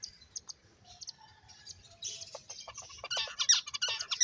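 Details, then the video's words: Finches chirping while playing: sparse faint chirps at first, then a dense burst of sharp, high, buzzy chirps that keeps growing louder. "Cute Birds Chirping Sounds | Beautiful Finches Playing"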